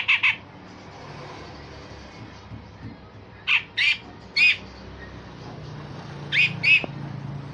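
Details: Grey-cheeked bulbul song of rough 'besetan' and sharp 'tembakan' type, heard as short isolated harsh, nasal notes in pairs and threes separated by pauses over a low background hum.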